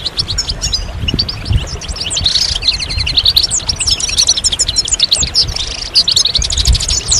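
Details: Chorus of European goldfinches singing together, used to stimulate males out of moult and into song; dense overlapping high twittering and tinkling trills run throughout, with a soft low rumble underneath.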